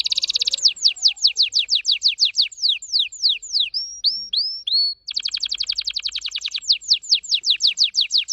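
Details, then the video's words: A vibrant orange-red red factor canary sings a very fast, continuous song: rapid trills of falling whistled notes, a brief run of slower rising slurs midway, then another quick rolling trill. "very fast singing canary"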